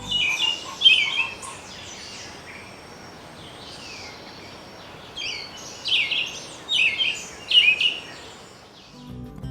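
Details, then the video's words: Black-billed (Floodplain) Thrush near Manaus, Amazonia, sings a thin, higher-pitched, robin-like song of short warbled bursts separated by brief pauses, over soft hiss. "Floodplain Thrush has a thinner, higher-pitched song (like an American Robin)."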